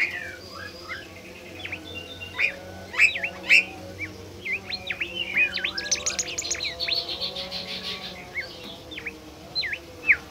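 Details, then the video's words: A bimoli bird, a rare, shy species, calls in a lure recording meant to provoke others: quick, high chirps and sharp upslurred whistles in bursts about twice a second, growing busier midway, over a faint low electrical hum. "burung bimoli DIJAMIN NGAMUK dan GACOR"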